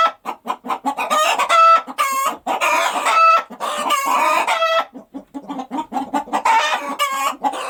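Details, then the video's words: Chicken on a farm: rapid clucks broken by loud, drawn-out, harmonic squawking calls, several overlapping, in bursts lasting about a second each. "Chicken Sound on the Farm"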